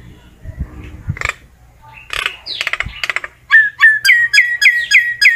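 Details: Common myna calling its flock: soft clicks and scratchy notes, then a rhythmic string of bright, upward-flicking whistles repeated about every third of a second.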